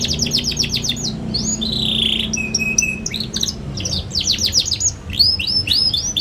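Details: Young canary singing energetically, meant to train other young canaries: quick repeated down-slurred notes, a buzzy warble, a flat sustained whistle, then more rapid trills and whistled phrases.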